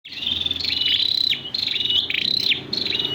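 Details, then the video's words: Red-whiskered bulbul in the 'giọng dế' (cricket-voice) song style: clear whistled phrases with a sliding, slurred drop, repeated roughly every half second in quick succession. "Sâu đầu đỏ giọng dế"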